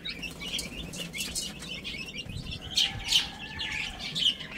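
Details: Baby chickens playing and eating, a flock of high, thin peeps overlapping in quick bursts, several sharper chirps stand out near the middle and end over a soft low rustle.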